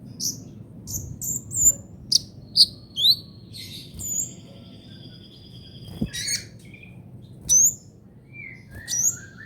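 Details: Trotol-style song of a brown-throated sunbird (kolibri ninja) meant for training songbirds: a lively string of high sharp chips and upward flicks, a short buzzy sustained note midway, then scattered thin whistles.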